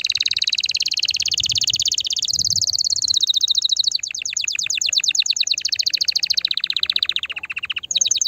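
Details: Singing canary, meant to stimulate a female: dense continuous rolling trills, first a smooth high buzz, then rapid repeated notes that gradually drop in pitch before a brief pause and renewed high trill.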